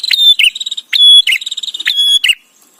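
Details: Bar-winged prinia song used to train white-rumped shama: three tight phrases of sharp clicks, a pure high whistle and fast buzzy trilled notes, sung back to back and then fading to quiet.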